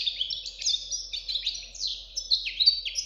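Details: Continuous song of a European goldfinch chick: dense, fast twittering with repeated downward-slurred buzzy notes and bright tinkling trills, over a faint low hum.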